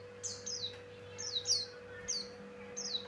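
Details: Javan grey-throated white-eye, a male in full song, its voice used to lure other birds: quick, high, downward-sliding whistles, about four bursts, some doubled, over a constant low mechanical hum.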